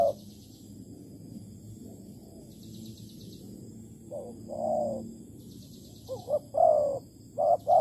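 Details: Spotted dove at a bird trap with bare bait in Malaysia, 11 August 2020: after a quiet start, one soft mid-pitched coo, then a late burst of short hooting notes and a longer coo, over faint intermittent high buzzing.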